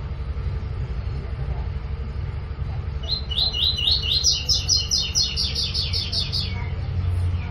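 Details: Double-collared seedeater (coleiro) song in the "tui tui" style, meant for teaching young birds to sing; after three seconds a fast run of about a dozen repeated high whistled notes lasts roughly three seconds over steady low rumbling background noise.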